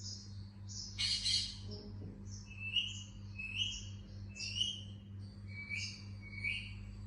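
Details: Indian ringneck parakeet chirping: short, bright, slightly buzzy chirps repeated roughly every second, with one harsher noisy burst early on and a steady low hum throughout.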